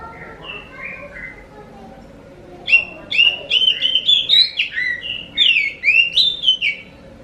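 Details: Oriental magpie-robin, locally kacer, song for luring other magpie-robins into answering: soft lower warbles at first, then from about three seconds a dense, loud stream of varied whistles and sharp flicked notes.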